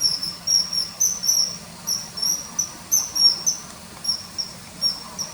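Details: Inserted common kingfisher calls accompanying early September 2020 riverside footage of hovering and fish-catching: loud, high, drawn whistles repeated steadily around twice a second, each slightly slurred, with only light hiss behind.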